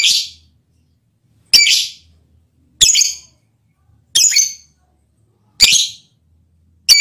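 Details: A lovebird calls to attract its male partner, producing six loud, grating high screeches at fairly even intervals of about one and a half seconds, each short and quickly decaying, with near silence between them.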